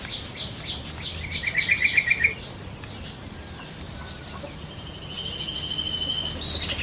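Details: Yellow-vented bulbul in the wild: a rapid run of about eight sharp, chattering notes, then a thin level whistle from another bird, amid a constant background of high twittering and insect hum.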